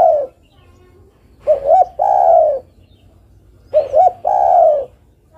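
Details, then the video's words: Island collared dove female calling the male. The tail of one coo is followed by two full phrases, each a pair of short rising hoots leading into a long steady low coo. "Suara burung derkuku betina memanggil jantan"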